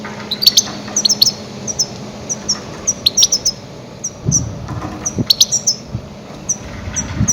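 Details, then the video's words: Loud goldfinch calls meant to attract grey-headed goldfinches for trapping. Short, sharp high chirps come in pairs and small groups every half second or so, with a low background hum and some rumbling. "Громкие крики щегла для ловли и охоты на Седоголового щегла"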